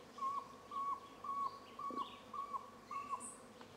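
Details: Grey-fronted quail-dove in Cuba on 31 March 2015 gives six short, hollow hoots at an even pitch, about two per second, with faint high chirps of other birds in the background.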